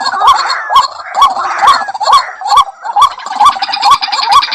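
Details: White-breasted waterhen, known locally as ruak, calling with rising, hooked notes about twice a second, mixed with throaty gurgling bursts early on and brighter chatter near the end.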